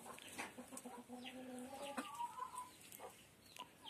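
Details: Laying hens inside the coop utter a sustained, slightly rising nasal cluck, then a higher drawn-out note, with brief faint clucks and clicks around them.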